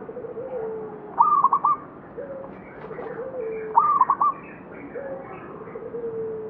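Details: At the Candi Rimbi ruins in Jombang, a local zebra dove delivers two trilled bursts of staccato cooing, while gentle, longer coos sound repeatedly underneath.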